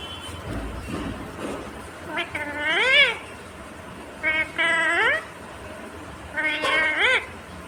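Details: Talking ringneck parrot utters several rising, squeaky speech-like phrases, roughly one every two seconds, sounding mewing and strained, against a soft background hum.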